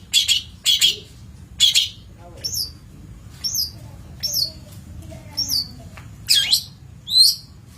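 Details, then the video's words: Long-tailed shrike on a master recording for training birds, mixing harsh scratchy bursts with clear, high, downslurred whistles spaced about a second apart, plus faint softer chatter. "Masteran Cendet / Kicau Cendet"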